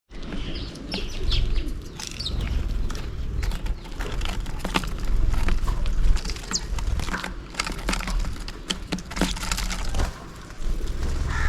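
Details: Sparrows chirping while feeding on millet at a hanging bottle feeder in the morning, quick sharp chirps from several overlapping birds, over a steady low rumble of wind or distant traffic.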